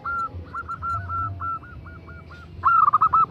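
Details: A zebra dove (perkutut) female calling a male: a muted string of soft rolling coos, a brief lull, then a sudden louder trill-like cluster of quick notes at the end.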